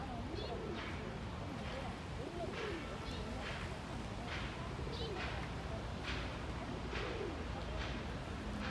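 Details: Male pigeon courting, raising his neck feathers and dancing while calling, also warning a rival off his territory: soft low rising-and-falling coos repeated about every two seconds beneath steady hiss, with brief higher bursts of noise between them.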